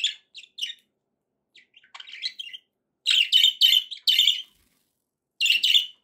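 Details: Happy budgerigars chattering indoors: bursts of bright, buzzy chirps and warbles, some short and scattered, others in dense clusters of four or five notes, with quiet pauses between phrases.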